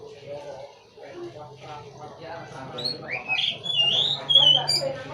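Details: Oriental magpie-robin (kacer) singing: after a stretch of murmuring voices, loud whistled, slurred notes rise and fall in quick succession through the second half, with people talking faintly underneath.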